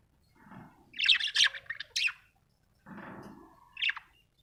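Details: A happy budgie chirps in rapid scratchy bursts, a cluster of sharp high notes followed by a pause, a softer low warble and one final bright chirp.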